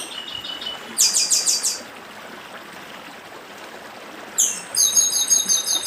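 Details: Dedim song of the chestnut-bellied seed finch with running water: a thin high note, then a buzzy rapid trill, a long gap filled by stream sound, and another slurred note leading into a fast series of repeated high doublets.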